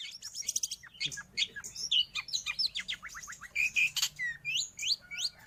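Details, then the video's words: Long-tailed shrike singing, recorded for tutoring pet birds or luring wild birds: scratchy twittering, then a series of quick downslurred chirps and a few clear whistles, over soft low background noise. "Suara burung Cendet / pentet"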